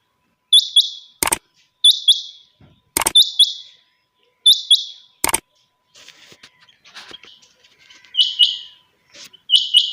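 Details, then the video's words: Chinga batair quail heard early in the morning, repeating sharp high paired notes about every 1.3 seconds, interrupted by three loud knocks, with a quieter stretch before the calling resumes. "Suba ky waqat chinga batair ki awaz/morning sound of Quail bird"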